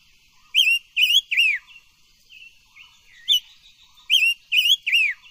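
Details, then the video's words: Voice training song of an ornamental silver-eared mesia: a triple phrase of loud bright whistles with a downward final note, a few quieter notes and one short whistle, then the triple phrase repeated. "Tiếng chim ngũ sắc hót hay luyện giọng ngũ sắc"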